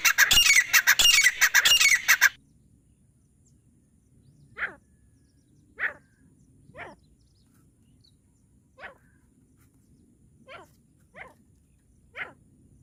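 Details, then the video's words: Partridge calls used as a lure in partridge catching: a burst of loud, harsh, rapid squawks for two seconds, then quiet, with seven short, faint, rising notes spaced one to two seconds apart. "तीतर पकड़ने की आवाज"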